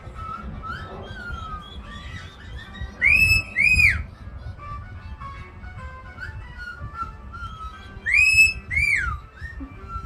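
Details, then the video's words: Pet caique making sounds indoors: two loud bursts of arched, swooping whistles near the middle and end, between quieter steady whistled tones and low background rumble. "Billy the Caique making sound"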